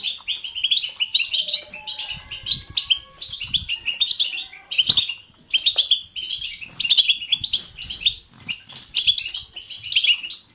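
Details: European goldfinch in natural batbata twittering, chosen as positive stimulation for goldfinches to sing: rapid bright jingling phrases in regular bursts, with faint soft whistles in the background early on.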